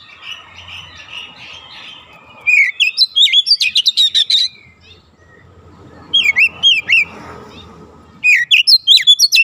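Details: Oriental magpie-robin singing the fast 'nembak rapat' style used to train young birds: three loud runs of rapid, sharp, looping whistled notes separated by quieter stretches with a low steady hum and faint background chatter.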